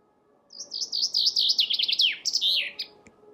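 A Chaffinch sings a bright, rattling run of quick repeated notes that gradually slide downward before ending in a brisk flourish, over a faint low hum.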